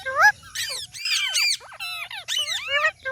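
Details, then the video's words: Talking parrot chattering almost nonstop in a busy run of swooping whistles, warbles and harsh notes that shift rapidly in pitch. "Talking Parrot Natural Sound"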